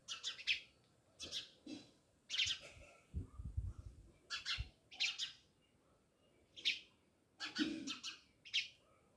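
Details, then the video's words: Village-house sparrows at Jamnagar: a flock of house sparrows chirps steadily, quick sharp notes in little groups, with some low knocking sounds partway through. "Natural Sound Of Sparrows | House sparrows Chirping"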